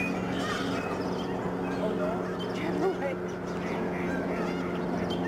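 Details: Massed snow geese honking as they fly and swirl down from the sky at a migratory bird sanctuary in Delta, BC, Canada, in March 2011: constant overlapping honks from a large flock, with a few louder calls standing out.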